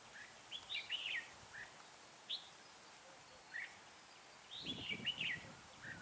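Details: Red-whiskered bulbul used as a lure bird for trapping in cold, windy weather around 12 to 15 degrees; lively warbled phrases, single short notes between, then a longer burst, with wind rumble.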